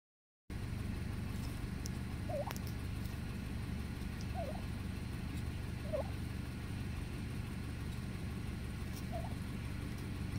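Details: Wild turkeys in a cemetery give four short, quavering trills spaced a couple of seconds apart, over a steady low rumble of wind or distant traffic.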